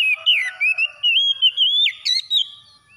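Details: Oriental magpie-robin singing after dawn: three seconds of continuous, loud whistling, with smooth wavering phrases, sudden downward slides and a few high chips near the end.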